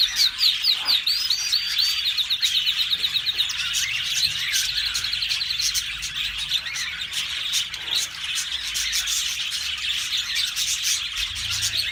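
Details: A yellow canary sings a long, high, continuous warble of rapid chirps, trills and buzzy rolls with barely a pause; nothing else is heard.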